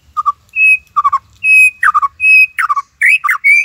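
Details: White-rumped shama singing lively Cililin-style 'tembakan' phrases, used as master song for training other birds: clear level whistles alternating with quick falling, slurred note clusters, repeated roughly every half second.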